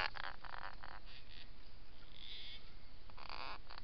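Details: An adult pair of Gang-gang cockatoos drinking at a well at Yackandandah, Victoria, on 17 January 2017, gives several short, raspy, creaking calls at irregular intervals over a steady low background rumble.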